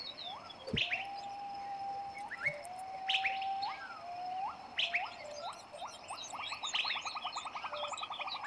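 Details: Long-tailed shrike feeding six young in West Java; rising chirps and squeaks over drawn-out level whistles, building to a rapid, evenly repeated chattering run of pulsed notes in the last few seconds.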